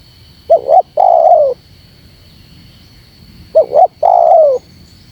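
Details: Provoking call of a spotted dove, meant to stir up wild doves. Two full phrases, each a pair of short upslurred notes followed by a drawn-out falling coo, separated by a pause, with a faint constant high whine.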